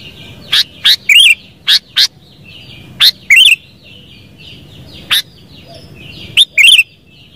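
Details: Sooty-headed bulbul giving loud, sharp clipped notes and short warbled, wavering phrases in irregular bursts, with a soft chatter of other birds running underneath.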